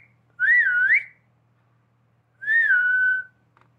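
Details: Human-like whistling from a pet talking parrot: two clear tonal whistles two seconds apart, the first wavering up and down, the second long, level and gently falling, in a quiet room.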